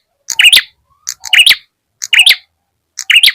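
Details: Ashy tailorbird lure call used by bird trappers to draw birds close: four bursts of sharp, high chirps, each a quick stacked cluster of ticks and a bright rising note, spaced about a second apart.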